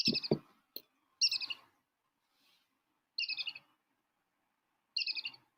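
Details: Recorded brown-hooded kingfisher call played at a waterhole in Africa, four short bright trilled phrases of quick stuttering notes spaced one to two seconds apart, with a few low thumps at the start.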